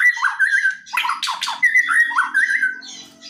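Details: White-rumped shama giving aggressive provoking song: rich whistled slurred notes repeated in quick runs, broken by a burst of harsh rasping chatter, then more clear fluty phrases.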